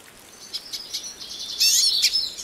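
A hooded siskin sings high, thin chirps spaced about a quarter-second apart, then breaks into a louder, rapid twittering warble.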